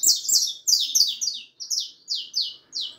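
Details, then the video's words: Saffron finch chick of the harlequin type, four and a half months old, in full song: a fast tumble of high, piercing chirps at first, then slower evenly spaced downslurred notes about every third of a second. "canario da terra filhote arlequin cantando muito 4 meses e meio de vida canario ancestral"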